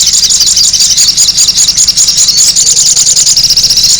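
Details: High, noisy sogon bird chatter played as a lure, a continuous rapid series of squeaky, scratchy notes with a constant faint low hum underneath.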